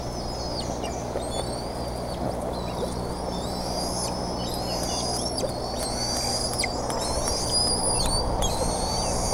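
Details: Bald eagles at the Decorah nest on 28 May 2014 as a fish is delivered: thin, high whistled piping notes, some rising and some falling, in loose rapid series over heavy, steady low rumbling noise.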